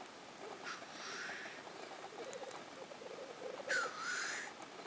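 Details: Black grouse at a lek in Innvik, 2014. A steady low bubbling, rolling coo runs throughout, broken by two loud, wheezy hissing sneeze calls about three seconds apart.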